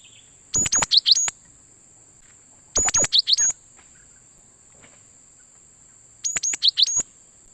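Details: Cinereous tit lure call for trapping wild birds: three bursts of quick, sharp, high chirps with slurred notes, roughly every two to three seconds, against a constant shrill background tone.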